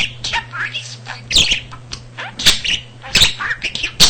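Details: Pet budgerigar, male, that talked freely with a vocabulary near 300 words, also imitating a cat's purr; quick high-pitched babbling and sliding tweets punctuated by several crisp clicks, with a faint steady hum indoors.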